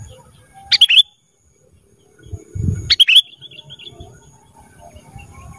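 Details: Cage-bird training recording of a black-crested bulbul: two brief sweet whistled phrases about two seconds apart, with a low thump between them and soft background noise.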